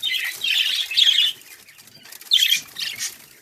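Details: Two bursts of high, buzzy chirping from hobby-bred budgerigars kept at home, with a quieter gap between them and a few softer twitters at the end.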